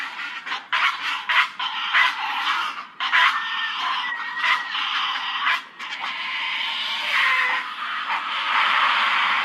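A Great Blue Heron nesting colony: many birds calling over one another, a dense wash of harsh, raspy squawks and clattering bursts with a few thin whistled notes.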